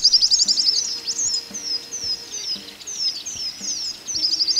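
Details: A Southern Whiteface, sex unknown though usually males sing from a perch top, sings in dry open woodland in southern Australia: a high, fast tinkling song of short trills and thin descending whistles in quick bursts, over faint low background noise.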